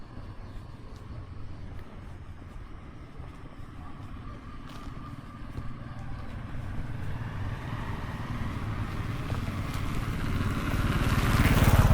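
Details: A low engine rumble from a passing motor vehicle grows steadily louder, with no animal voices heard.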